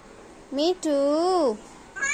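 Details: Talking female Alexandrine parakeet imitating a person: a short nasal syllable, then a longer, harmonic, voice-like phrase that swells upward and sinks at the end, with indoor quiet around it.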